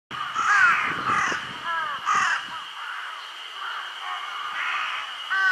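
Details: Large-billed crow that has carried food off to an undisturbed spot, Shiki no Mori Park, 6 June 2022, gives a few hoarse, slightly nasal caws in irregular bursts over a steady high-pitched background buzz.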